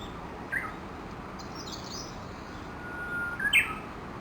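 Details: Japanese bush warblers, dozens gathered and feeding at about 7:30 in the morning under a chinaberry tree near Gakushima Bridge, Kawashima, Yoshinogawa, Tokushima, Japan; a faint steady whistle and then a short bright rising flourish, with another brief note earlier, over a steady low hiss.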